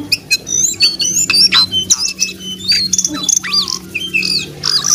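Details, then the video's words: Brown jongkangan singing actively: a dense, fast run of high, varied chirps, short whistles and sharp rising and falling notes, with a steady low hum underneath. "jongkangan coklat gacor"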